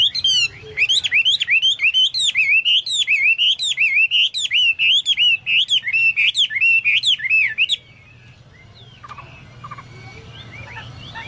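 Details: Chinese hwamei singing eagerly, its song likened to cucak Papua or cucak mas: a rapid, continuous run of looping whistled notes for about eight seconds, then softer distant chirps over low background hum.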